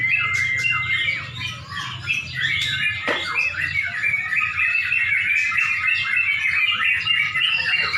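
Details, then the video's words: Many caged Yellow-vented Bulbuls sing at once during a contest in Pemalang near dusk, giving continuous bubbling, warbled phrases and quick chirps, over a low crowd rumble. "LOMBA BURUNG TRUCUK DI PEMALANG | menjelang magrib"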